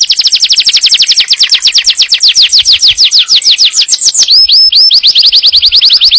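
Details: Yellow canary singing to prepare the female for breeding and teach the young: rapid trills of repeated descending high whistled notes, about two per second's fraction, shifting near the end into looped upslurred notes, continuous and loud.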